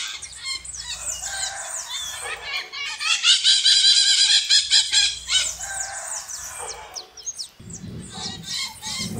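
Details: Loud, continuous chorus of shrill, grating maritaca parrot screeches in quick pulses, building in the middle and then thinning out to scattered squawks.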